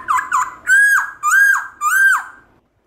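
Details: Black-throated laughingthrush giving its wild voice to encourage pet birds to sing: two short whistled notes, then three loud, evenly spaced arching whistles, each rising and dropping away.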